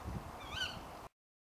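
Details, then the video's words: Female tawny owl calling late at night: a single sharp, nasal kewick, rising then dropping and lasting about a third of a second, over a low rumble of background noise. "Tawny Owl Call"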